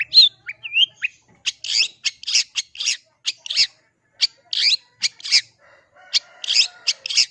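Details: Long-tailed shrike, a contest bird with a mimicry-filled song: a couple of slurred whistles, then a series of harsh, scratchy bursts at irregular intervals, with a faint hum toward the end.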